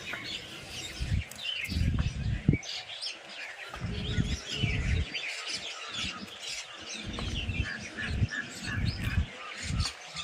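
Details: A village bird chorus: dense high chirps and twitters from many birds run continuously, with low rumbling noise pulsing underneath.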